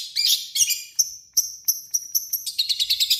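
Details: Long-tailed shrike in full harsh song, played as a lure to provoke other shrikes into singing: buzzy high bursts, then a quickening run of short sharp notes repeated about three times a second.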